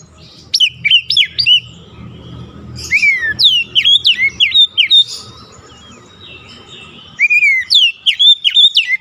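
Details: White-rumped shama song meant to stimulate a silent bird into singing: clear, loud whistled notes with steep up-and-down slurs in bursts of rapid phrases, separated by quiet gaps, faint low rumble beneath.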